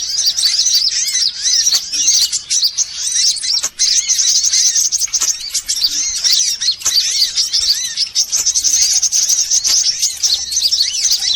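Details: Lure recording for drawing in birds, mixing all kinds of sunbirds. Many birds twitter at once in a thick, high-pitched wall of chirps, with curved whistled notes recurring throughout and brief sharp ticks.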